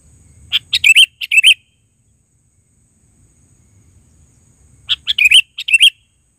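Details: Sooty-headed bulbul repeating a lively phrase of several quick chirps twice, once near the start and again after a four-second pause, over soft low background hum.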